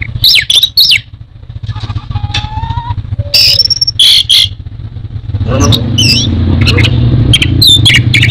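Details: Orange-headed thrush (anis merah) from Indonesia giving clipped whistles and chirps, then a flat whistled note. A loud engine-like rumble rises in the second half beneath further high chips.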